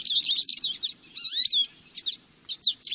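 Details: A lesser goldfinch sings a dense, high jumble of chips and wavering whistled notes, one clear rising-and-falling slurred phrase near the middle, then scattered sharp chirps.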